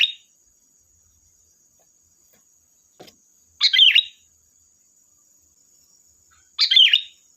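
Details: Sooty-headed bulbul singing as a lure to provoke others to answer: short bright gurgled phrases about three seconds apart, each a brief tumbling cluster of notes, with a faint click between them and a steady high whine behind.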